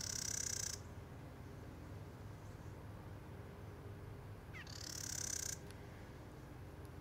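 Carolina wren giving two harsh, buzzy rasping chatters, each under a second long and several seconds apart, against a quiet background hum.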